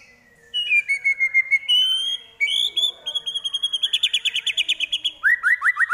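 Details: White-rumped shama singing mimicked phrases of prenjak, kapas tembak and elang: long clear whistles stepping up in pitch, then a fast rattling series of repeated notes and a run of upswept chirps.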